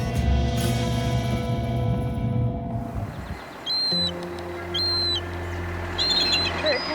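A bald eagle gives thin, high-pitched shrieking notes in short bursts about once a second, over a low musical hum and earlier loud background noise.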